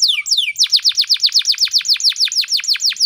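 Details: Morning canary song played to draw out other birds: two gliding whistles, then a steady run of about fifteen rapid, clear downward-swept notes repeated evenly.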